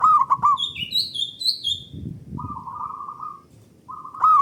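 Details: Local zebra dove singing loud and long as a lure to stimulate other doves to sing: low purring, rolled coos opening the clip, then longer trilled coos twice more, with high thin chirps of another bird overlapping early on.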